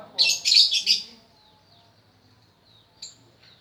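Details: Lovebird learning to sing delivers a quick burst of four harsh, high chirps in about one second, followed by quiet low background noise and one more short squeak near the end.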